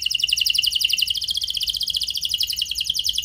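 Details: Canary lure song meant to get other canaries singing, in a fancy long-burst style: a continuous rapid bubbling high trill, steady and rolling, with faint background hiss.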